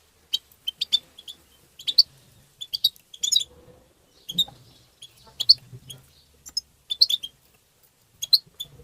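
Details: European goldfinch calling to stimulate caged goldfinches: short groups of two or three sharp, high chirps repeated roughly every second, with quiet gaps between groups.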